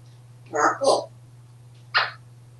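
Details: Happy captive African grey parrot at home in Texas, talking a lot on a hot day with fans running: two quick word-like syllables then a single short word, steady low hum beneath.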